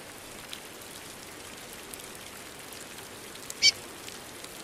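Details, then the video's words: Female curió heard in the rain, one quick high-pitched peep late in the recording, otherwise only the patter and hiss of rainfall. "Piado apronta curió rápido!"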